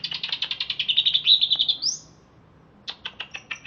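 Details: Greater green leafbird, captive, wild-sourced from Alas Purwo, Banyuwangi, pours out a fast stuttering chatter that smooths into a high trill and ends on an upward flick. After a silence, a series of crisp ticks follows.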